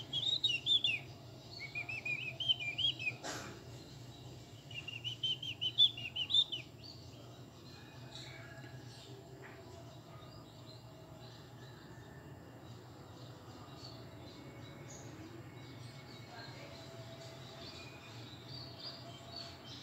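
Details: Zebra finches kept for breeding give bursts of nasal, tooting chirps, then fall quiet over a low hum.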